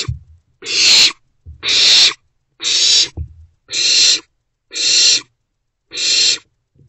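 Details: Owlets, three together in a nest box, 13 April 2024 in the morning; six loud, harsh hissing screeches repeated evenly about once a second, with faint scuffling between them.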